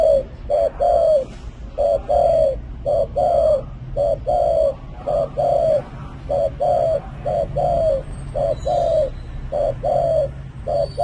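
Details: Spotted dove chosen for its cooing voice in a 2020 top ten: a long regular series of mellow paired coos, short then longer and slightly falling, repeating about every second, against steady faint high-pitched tones.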